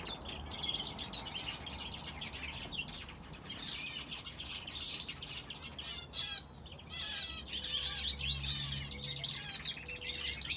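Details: Aviary chorus of finches kept together with a canary: bright, high chirps and rapid warbled trills pour out continuously from several birds at once. A low mechanical hum and a steady faint tone appear near the end.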